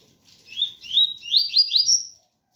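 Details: Double-collared seedeater of the 'ganga' type singing pure 'tui tui' style song: a quick run of buzzy, upward-sweeping high notes, each slurring higher than the last over about two seconds, with faint rain patter underneath.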